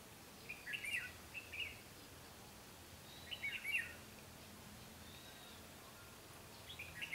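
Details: Red-whiskered bulbul with white cheeks at a trapping site on 12 August 2016, a decoy singing competitively to lure wild birds; short, quick, warbled phrases, three bursts spaced a few seconds apart over quiet background hiss.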